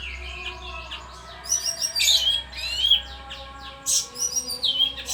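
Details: Bayeman in continuous song, with sharp high twitters, quick whistled slurs and scratchy chatter in close bursts over a faint low hum.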